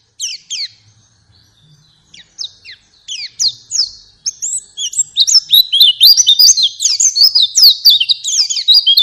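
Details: Pet-bird prompting song of a white-eye. A few scattered high chips and pauses open it, then a dense, fast run of squeaky, slurred notes builds and keeps going to the end.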